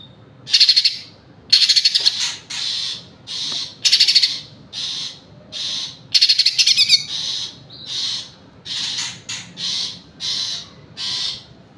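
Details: A green leafbird delivers a steady string of high, scratchy trilled phrases, some in clusters of two or three, with occasional slurred whistles, in quiet surroundings.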